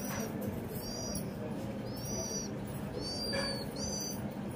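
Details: Sparrow kept around a house giving quick doubled chirps, sharp and arched, in clusters about a second apart, with a faint hum and one brief thump.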